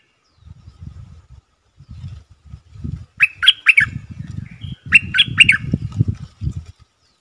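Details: Wild-bird lure call of a bulbul: two short bursts of chattering notes a second apart, over constant low rumbling and handling noise.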